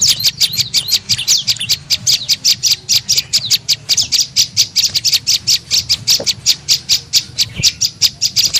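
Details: Tailorbird (prenjak lumut) used as a lure call to attract birds: rapid, sharp, high chirps repeated several times a second in an almost unbroken run, with a faint low hum underneath.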